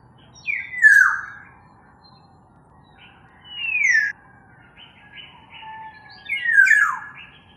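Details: Black-naped oriole giving loud downward-sliding whistles spaced a few seconds apart, with fainter higher notes between and a low steady hum underneath.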